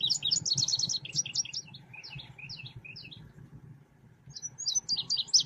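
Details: High twittering song of a selendang biru songbird, played as a lure for trapping: a dense burst of chirps, then spaced, slightly lower single notes, a quiet gap and a renewed rapid twitter, with a constant low hum.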